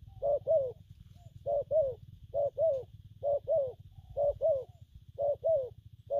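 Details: Spotted dove cooing in gù phóng, kèm and gù lăn styles: doubled mellow hoots with a falling second note, paired phrases about every 0.9 seconds, set against a buzzing low hum and faint high tone.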